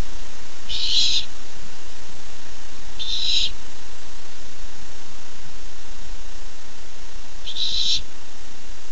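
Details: Excited barn owl chick awaiting a first treat, July 13, 2015: three rough, breathy screeches of about half a second each, two close together and a third after a pause, against a faint continuous hum.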